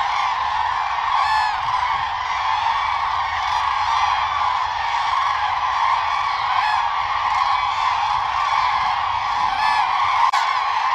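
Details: A large flock of common cranes in mating-season dance gives a dense, continuous chorus of overlapping trumpeting, rolling calls with no pauses.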